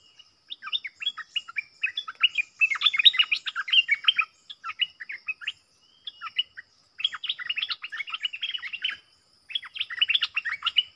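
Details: Wild streaked bulbuls, a whole family together, one likely male: busy bursts of short chirping and twittering notes, clustered in runs of one to two seconds with brief silent gaps between.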